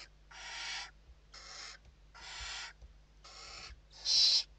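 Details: Evening feeding at a barn owl nest in Spain, 29 November 2023: five evenly spaced rasping hiss calls about one second apart, the final one loudest, over faint low hum.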